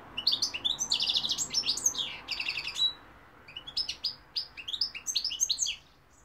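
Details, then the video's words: European goldfinch singing, its bright song of rapid twittering and buzzy trilled phrases, tinkling notes and short rattles in two bursts separated by a brief pause, high and clear over quiet background. "goldfinch p throat sign 2021 مقنين الحسون"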